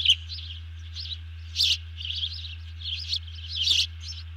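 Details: Early-morning alert from a bald eagle that has seized a fish, 31 July 2020; scattered high squeaky notes with two loud chirps around 1.6 and 3.7 seconds, and a faint steady hum throughout.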